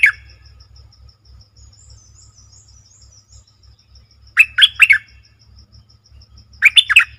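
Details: Song of the Streak-eared Bulbul from 20 March 2022: a cut-off note at the start, then two lively phrases of four rapid liquid slurred notes, spaced about two seconds apart, with faint ticking behind.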